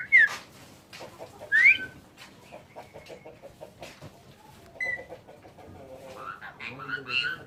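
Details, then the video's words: A one-year-old pet Asian pied starling that can talk and "cry" on its own gives two sharp rising whistles, then chattering, speech-like mimicked phrases, with clucking and a person talking faintly behind. Caption calls it reciting sholawat. "Suara asli jalaksuren jalaksuren bersolawat"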